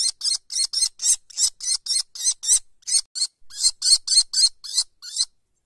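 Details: Nestling kestrels, a few weeks old and clothed in white down, call from a high nest. About twenty hoarse, rasping screeches follow one another steadily, nearly four per second.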